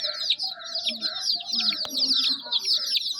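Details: Dense, shrill peeping from a crowd of chicks, quick falling chirps overlapping steadily, with a single sharp click partway through.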